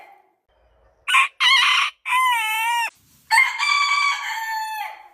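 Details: Long morning rooster crow: two short clipped opening notes, then a sustained, gently bending phrase, a brief gap, and a final drawn-out crow of about a second and a half, clear against a quiet background.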